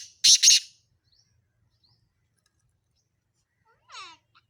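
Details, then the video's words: Sindhi black francolin, in a recording mixing male and female calls: two loud, harsh, grating notes in quick succession, then silence and a fainter descending rasping note near the end. "سندھی کالے تیتر کی مکس اوازیں"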